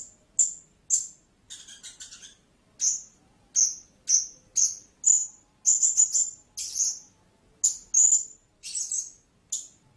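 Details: High, thin squeaky notes of a blue-crowned hanging parrot, mostly single chirps spaced about half a second apart, with one brief buzzy, stuttering burst early on and some doubled notes later.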